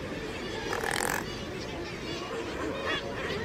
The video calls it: SOUND OF A RAZORBILL 🔊 What does a razorbill sound